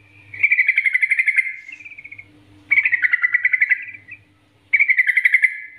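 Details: Three strong bursts of quick, gurgling chatter from a yellow-vented bulbul, part of a 'nggaruda' master song meant to prompt other bulbuls to sing, with silent gaps and a faint hum.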